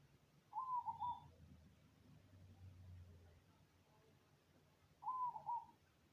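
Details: Perkutut of the Cemani variety giving its soothing song: two rolling, stuttered coo phrases about four and a half seconds apart, with a low rumbling noise in the gap between them.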